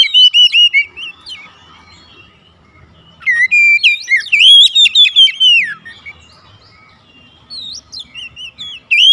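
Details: Kept Oriental magpie-robin in energetic gacor song as daily therapy: rich whistled phrases with rising and falling slurs, delivered in three bursts separated by short silences, with a faint low hum beneath.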